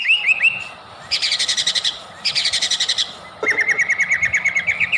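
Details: White-rumped shama song, used as a lure to provoke other shamas into singing: short rising whistles, then two bursts of fast, high, buzzy trills, then a long steady series of rapid chipping notes over faint low hum.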